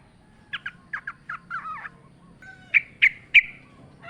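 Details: Yellow-vented bulbul in the wild with natural ambience, used as a lure recording: soft paired chirps and a short warble, then three louder, sharp, ringing notes spaced about a third of a second apart.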